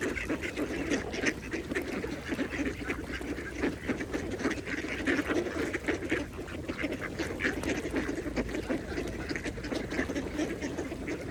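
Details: At a pond, a group of mallards feeds with ongoing low quacking and rapid clucking chatter, overlapping calls throughout with faint water sounds beneath.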